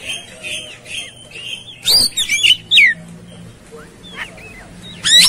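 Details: Agitated, fighting Oriental magpie-robin in 'tarung konslet' style: soft warbled whistles, then a cluster of loud harsh bursts with sharp down-slurred whistles near the two-second mark, and another rasping burst at the end.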